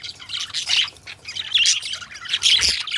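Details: Pet budgerigars chattering in a continuous warble of scratchy, buzzy notes and squeaky chirps, bursts rising and falling in loudness over a faint low hum.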